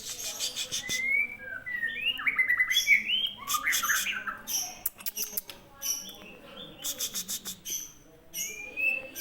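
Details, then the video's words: White-rumped shama from Aceh singing: varied slurred whistles and rising phrases mixed with harsh squawky notes, amid loud clicking and rattling background noise. "Pastol Murai Aceh"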